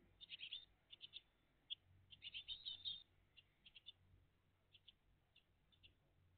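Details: Great tit family at the nest, filmed live on the morning of 20 June 2023: faint, high chirping bursts in short clusters scattered through the moment, with a low background hum.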